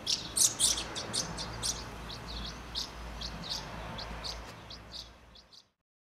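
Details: House martins feeding young in Přerov-Kozlovice, Czech Republic: rapid series of thin high twittering chirps, louder at the start then fading, over steady low background hum before sudden silence.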